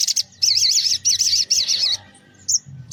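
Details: Spiderhunter in lively morning song, used as a lure for small birds: high, wavering buzzy phrases repeated in three bursts of about half a second, then a few thin chirps.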